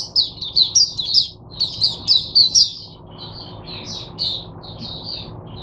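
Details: Caged oriental white-eye singing as a teacher bird for other white-eyes: rapid high twittering phrases of short warbled notes, louder bursts in the first three seconds, then softer scattered chirps, with faint low background hum.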